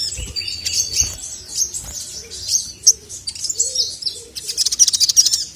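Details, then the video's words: Male crested jay (sogon) song used to provoke rivals: dense high chattering and squeaky whistled notes, with rapid trills building toward the end. "SOGON MANAPUN NGMAUK GACOR langsung emosi dengar masteran suara burung sogon jantan ini"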